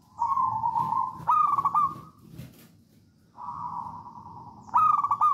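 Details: Zebra dove, local Javanese type, singing to prompt other doves: a steady coo, a quick bubbling trill, then silence and a repeat of the coo and trill.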